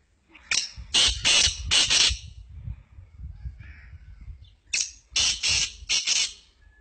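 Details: Black francolin, known as Sindhi teetar or kala teetar; two loud phrases of harsh, grating notes, each phrase of about four rasping bursts over roughly one and a half seconds, separated by a pause with faint low rumble.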